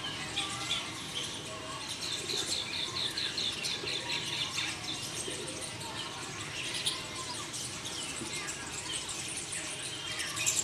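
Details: Green bee-eaters (Merops orientalis) give many overlapping high, trilled chirps, a fast irregular chatter without pause, over a low background rumble.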